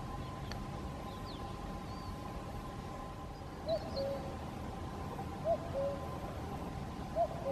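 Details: Distant common cuckoo singing at Caldones, Gijón, Asturias, Spain, on 8 May 2021: three faint two-note cu-coo calls, the second note lower, spaced under two seconds apart over a steady low background rumble, with brief high chirps of other birds.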